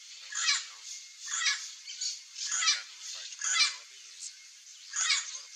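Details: Chestnut-eared aracari feeding on ripe fruit in a wooded backyard in central Brazil; a series of harsh, raspy, buzzy calls repeated roughly every second, each a short noisy burst, with fainter similar calls overlapping.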